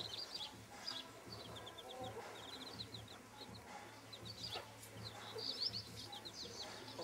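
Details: Bantam chicks with their broody mother, making many thin high peeps in quick strings over a steady low hum, with only faint clucking.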